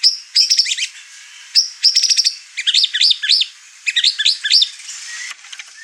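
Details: Over-excited white-rumped shama in a household of birds pouring out rapid chattering phrases, bursts of fast repeated high notes broken by brief pauses.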